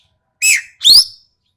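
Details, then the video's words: Sumatran ekek keling giving one harsh, sharp couplet: a grating downslurred note followed at once by a louder, rising, rasping note, then silence. "BURUNG EKEK KELING SUMATERA SUARA TAJAM DAN KASAR"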